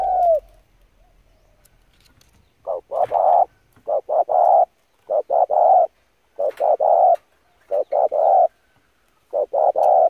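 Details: Spotted dove lure song used to train decoy birds, urgent driving coos: after a faint opening note, phrases of two or three short low hoots and a longer hollow coo repeat about every second and a half in quiet surroundings.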